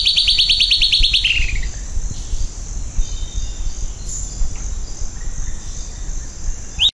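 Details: A Silvered Antbird (Sclateria naevia) sings a rapid, high run of sharp notes for about a second and a half, dropping in pitch at the end; a steady insect hiss and faint birds continue behind.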